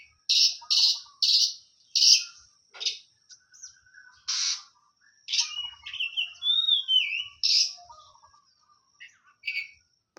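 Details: Hot-tempered oriental magpie-robin kept for song, repeating a run of harsh scratchy bursts about every half second, then mixing in clear sliding whistles and chattering notes.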